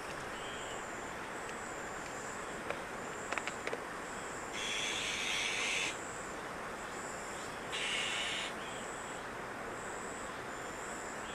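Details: Nestling-rearing Azure-winged magpies in Maeji-ri, Wonju, South Korea; two loud, breathy hissing rasps, each over a second long, several seconds apart, among faint high tones, a few sharp clicks and constant outdoor hum.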